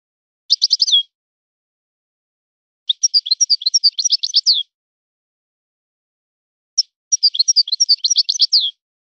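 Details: European goldfinch singing in a particular breeder's style: three separate bursts of rapid, high, tinkling twitters, each up to two seconds long, separated by silent pauses, clean and without other sounds.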